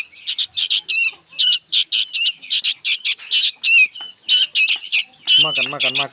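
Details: Harsh, buzzy squawks from young sooty-headed bulbuls, evenly spaced short bursts repeated roughly three per second, with a lower wavering, nasal sound joining near the end.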